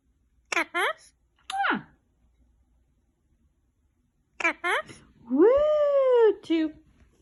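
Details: Pet Indian ringneck parakeet talking and being silly indoors: quick clipped speech-like syllables, then a long, rising-then-falling drawn-out nasal call, followed by another short syllable.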